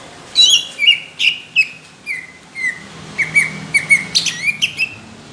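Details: Greater green leafbird delivering its competition song with coarse, heavy bursts: loud downward-sweeping chirps spaced about every half second, then speeding into a quicker chattering series of bright notes.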